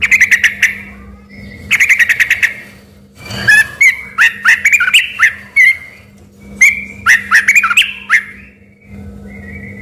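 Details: Vocal sooty-headed bulbul, first thought by villagers to be an oriental magpie-robin, pouring out fast chattering bursts and looping, rising-and-falling whistled phrases, with brief pauses between sections and a quiet hum behind.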